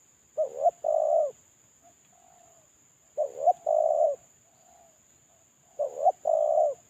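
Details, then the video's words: Caged spotted dove (terkukur) used for a lure call, currently molting and kept alone. Three cooing phrases about every 2.7 seconds, each a quick rising double coo then a longer, steady low coo, with soft coos between and a faint steady high tone. "Suara terkukur suara pancingan terkukur"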